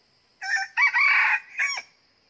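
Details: Red junglefowl decoy rooster crowing at a trap set outside the season to lure wild birds: a clear three-part crow, a short opening note, a long harsh middle phrase and a brief falling final note, then quiet.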